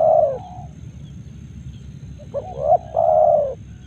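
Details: Spotted dove from Karawang giving low, mellow coos: a short opening note, a pause, then a quick hooked double note and a longer steady coo. Faint rumbling background, no other clear sounds.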